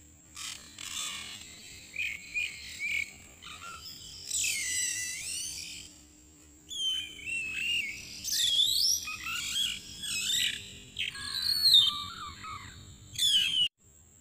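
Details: Oriental magpie-robin (black Borneo morph, large-bodied, described as very aggressive), recorded while trapping: varied, loud whistled phrases that slur up and down, with sharp notes between them, over a low steady hum.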